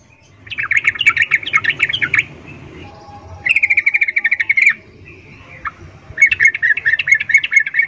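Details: A female Yellow-vented bulbul calls to a male with an in-heat mating call: three bursts of rapid, bubbly chattering notes at a bright mid-high pitch, each one to two seconds long, with short pauses between.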